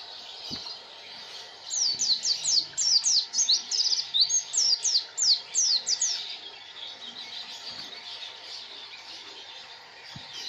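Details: A white-eye (pleci) sings one sustained run of quick, high, downslurred whistles lasting about four seconds, then falls quiet over a soft background hum.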